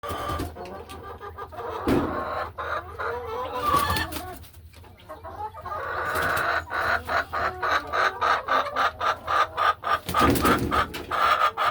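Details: Laying hens in a farm hen house on a quiet afternoon, settling into nesting boxes and walking the ledges; rapid repeated clucks in bursts with layered murmuring calls from several birds and low background hum.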